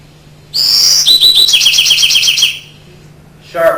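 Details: An adult Winter Wren's crisp, confident song, unlike a young bird's babbling: two seconds of very high, crisp notes, a thin rising whistle, then a fast run of sharp tumbling trills. A man's voice starts just after.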